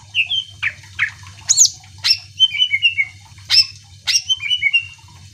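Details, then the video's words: Singing greater green leafbird, played to stir other birds to sing: bright rising whistles, high sharp notes and repeated descending slurred trills, in rapid sequence with short gaps, low background hum. "Cucak ijo gacor AMPUH bikin burung mu langsung emosi ikutan bunyi"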